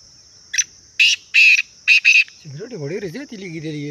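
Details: Black francolin, called Sindhi teetar, giving a call of five harsh, buzzy bursts in an uneven rhythm, two of them closely paired, followed by a man's voice speaking a greeting.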